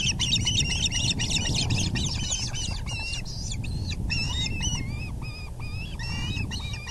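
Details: Osprey nest on April 6, 2020 at 6:30 pm, the male bringing a large fish: frantic, overlapping shrill chirps at first, thinning after four seconds to spaced, whistled, downslurred notes, with low background wind.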